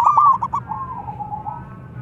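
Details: Loud local zebra dove used for luring opens with a burst of rapid clipped notes that fade into a long, soft, slightly wavering trill.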